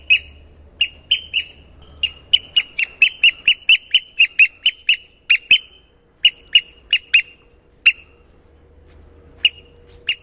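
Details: At Getterön around 8 in the morning on 13 May, two freshly hatched Eurasian oystercatcher chicks and one hatching from its shell call. A long run of rapid, high, squeaky peeps grows denser midway, then thins to isolated notes.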